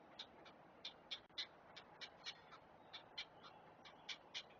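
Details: Great blue heron chicks at a nest camera as an adult feeds them; a faint, rapid series of short, dry ticking calls, about four per second, uneven in spacing, over a steady background hiss.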